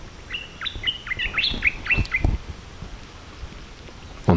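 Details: Jungle birds singing on Koh Rong Island, Cambodia, where many bird species live: a quick run of clear whistled chirps and slurred notes rising and falling over about two seconds, then quieter jungle background with a few clicks.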